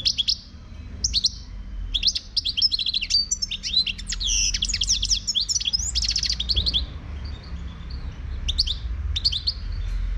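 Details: Wild Moroccan goldfinch in sustained song, a fast, lively stream of high tinkling chirps, buzzy trills and liquid twitters for about seven seconds, then scattered short phrases, with low rumbling noise beneath.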